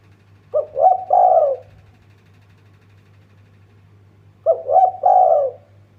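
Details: Spotted dove call used as a lure to make other birds sing: two phrases of quick, throaty coos running together into a longer rolling note, with a long pause between, over a faint low hum.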